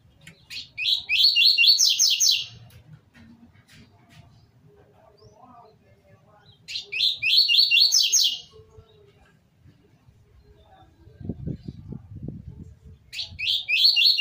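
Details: Tutoring song of the 'tui tui zel zel' style for young seedeaters: a phrase of six rapid, bright, repeated slurred notes about every six seconds, three phrases in all, with brief low rumbling between them.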